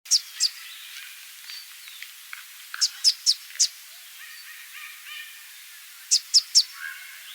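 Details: Immature male Southern double-collared sunbird giving short, sharp, very high clicking notes in small clusters of two to four, separated by pauses, with faint chirps from other birds in the background.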